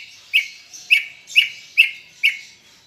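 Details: Greater green leafbird in persistent chattering song, played to prompt caged birds to sing: five sharp, bright chirped notes, each with a quick downward flick, repeated about every half second, then fading out.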